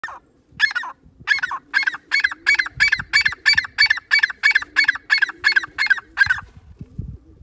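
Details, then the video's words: A female francolin (teetar) gives a harsh, nasal note about three times a second, in an even run of around seventeen calls, over faint low background rumble. "teetar bird sound female"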